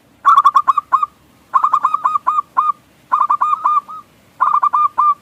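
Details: Singing local zebra dove, a lure meant to set other doves cooing: four even phrases, each a fast tumble of five or six bubbling, down-curving coos that end in a longer note.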